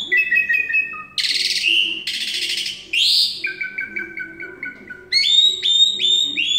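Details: Energetic song of an Asian pied starling from Semarang: steady whistled tones, buzzy trills, a run of evenly repeated chip notes and high ringing whistles.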